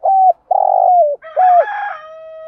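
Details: Spotted dove used as a decoy, calling at morning to stir hard-to-start wild-caught doves into calling: a mellow coo, a long vibrating note falling at its end, then another coo overlapped by a higher, ringing harmonic tone.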